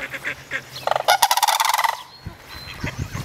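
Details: Three young sandhill cranes together at Reifel bird sanctuary, calling among themselves: a sudden burst of loud, rapid rattling notes lasting under a second, with quieter honks and rustling before and after.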